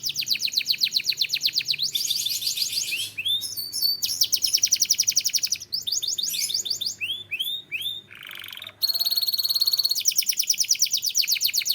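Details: Canary, described as Turkish, singing a loud, unbroken song of rapid high trills that switch between buzzy rattles, rolling tours and clear rising whistles, with one brief lower nasal note near the end.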